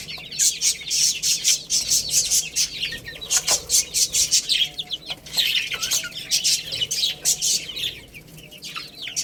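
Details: Baby chicks feeding and playing, with dense, high, chirpy peeps repeated rapidly in lively bursts alongside rattling taps and scratching.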